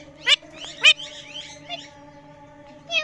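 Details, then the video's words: Pet parrot producing varied noises, two loud harsh squawks early on followed by softer chattering, wavering notes and a final squawk, with a constant low hum in the background. "Parrot Making Different Noises"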